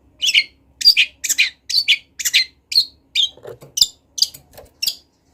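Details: Energetic 'gacor latah' song of a wild long-tailed shrike (cendet), kept as a master recording: a quick string of harsh, scratchy notes about a dozen long, with a few soft lower sounds near the end.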